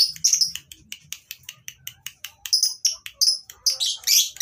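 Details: Breeding-farm lovebirds, recorded as tutoring material for silent birds: a steady series of sharp, high chips, roughly four per second, rising into shrill, whistly squeals near the end.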